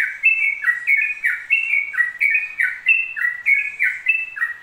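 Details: Ropel-style Yellow-vented bulbul song: dense, loud run of paired whistled notes, a higher note dropping into a lower slurred one, repeated evenly without any gap.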